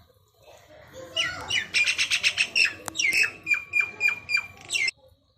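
Common myna giving a rapid run of harsh, chattering notes mixed with sharp whistled phrases, about four seconds of busy, varied calling.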